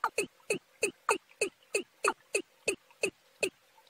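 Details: March recording of young and wild watercocks mixed: brisk, evenly paced knocking notes, about three per second, each a quick downward slur with a bright upper edge.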